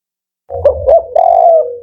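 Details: Male spotted dove of the firm, rhythmic 'Kuk 4' style. Two short mellow notes run into a long sustained coo, low and soft throughout.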